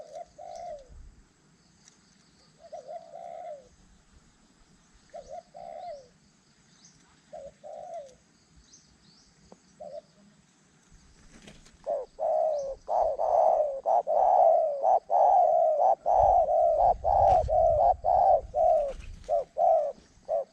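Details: A large dove on the ground gives soft, low cooing notes, spaced at first, then in a fast, steady run.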